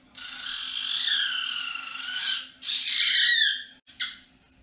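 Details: Pet cockatiel at home in the evening gives a long harsh screeching squawk, followed by a shorter rasping burst and a brief final note, over a low electrical hum.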